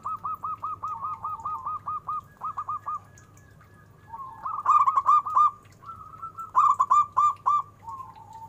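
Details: Local zebra dove with a big voice, singing a rapid series of short rolling coo notes, then louder bursts of rhythmic cooing phrases near the end, over a steady low hum.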